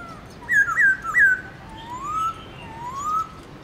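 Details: Black-throated laughingthrush in morning song, 'forest voice' with many notes: three quick loud dipping whistles followed by two slow, smooth, rising whistled glides.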